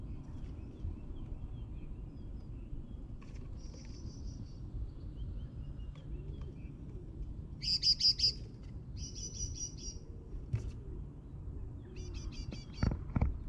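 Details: At Mariahoeve, The Hague, on an eleventh floor in May, great tits give scattered bursts of high, buzzy, rapidly repeated notes, the loudest a run of about five, with clicks and a low rumble behind.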